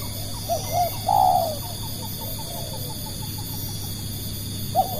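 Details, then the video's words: Spotted dove lure call: one full phrase of two short coos and a long falling coo, then a run of soft, faint, evenly spaced notes, with another coo beginning at the close. "burung tekukur pikat"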